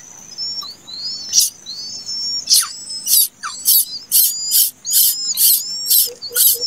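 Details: Plaintive cuckoo nestling that hatched late gives loud rasping hiss-like bursts, spaced irregularly then quickening, while a continuous shrill insect drone and thin chirps sound throughout.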